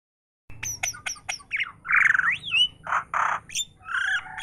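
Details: Myna chattering on and on: a burst of short clicks and ticks, then harsh squawks, a rising slurred whistle, and broad raspy notes, varied and continuous.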